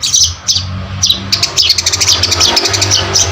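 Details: Long-tailed shrike producing harsh scratchy notes that quicken into a rapid chatter of short rasping pulses, over a continuous low background rumble.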